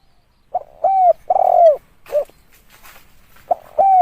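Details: Spotted dove calling, a recording used as a lure: two short hoarse coos followed by a longer, drawn-out coo that slides downward at its end, then the phrase begins again. The background is quiet.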